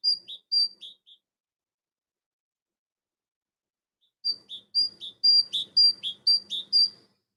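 Great tit song: ringing two-note phrases, a high note dropping to a lower one, repeated about twice a second in two bursts with a pause between.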